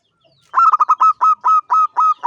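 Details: Gacor ngancing song of a champion local zebra dove: one long run of about eleven bubbling coo notes, starting fast and spacing out into slower, longer notes toward the end.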